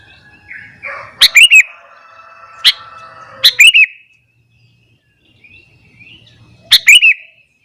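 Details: Short bubbly chirping phrases from a sooty-headed bulbul singing in the morning to provoke other bulbuls, three bursts a few seconds apart over a faint humming background tone.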